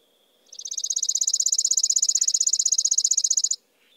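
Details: A chipping sparrow's song: a steady, mechanical trill of high, dry chip notes running about three seconds at an even fast pace, rising slightly in loudness at the start, with a faint low hum underneath.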